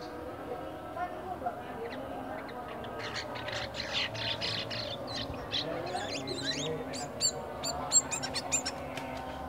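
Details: Caged black-winged myna, bought from a bulk lot at a bird market and kept about a week, still at the early twittering stage. It gives harsh, buzzy bursts mixed with sharp high whistles in a loose series over a steady low hum.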